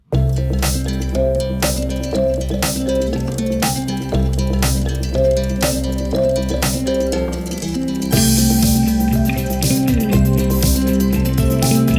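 Only band music with drums and guitar is heard, with no animal voices.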